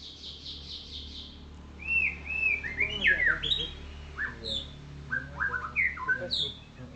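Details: White-rumped shama of the golden variety, set out in morning sun, gives a soft high trill, then loud, varied whistled phrases with rising and falling slurs at mid and high pitch.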